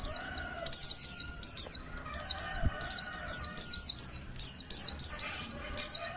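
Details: Oriental white-eye female calls meant to get males singing: bright, high, descending chirps in quick clusters roughly every half second, with a soft humming undertone.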